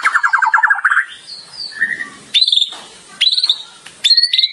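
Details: Nonstop singing from a champion competition white-rumped shama: a fast trill of mid-pitched notes, soft high whistles, then three short bursts of bright high chips separated by pauses.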